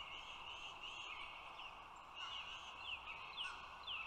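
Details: Bald eagles at a nest as the male delivers food to the female and one eaglet give thin, high, squeaky chittering notes over a steady hiss, with a few short descending whistles near the end.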